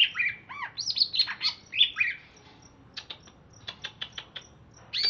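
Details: Chatty greater green leafbird from Alas Purwo, Banyuwangi, caged in Jatiasih, Bekasi, after bathing: loud slurred and arched whistles tumbling in quick succession, followed by a string of sharp clicks and a final rising note.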